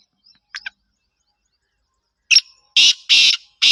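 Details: Black francolin (Kala Teetar), described as of the Gangas or Sheedi nasal strain. A few faint short notes come first, then after a pause four loud, harsh, grating bursts in quick succession, the last one cut off.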